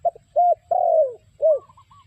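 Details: Spotted dove call used to lure birds into traps: a quick series of mellow coos, short, then a long downward-sliding coo, then another short one, with a faint higher whistled trill after.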